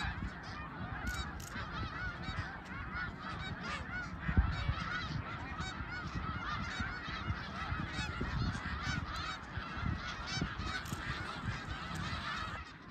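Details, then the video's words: Snow geese at Middle Creek, 2022: many clear, yelping nasal honks tumble over one another nonstop above a background flock murmur and low rumble. "Middle Creek snow geese 2022"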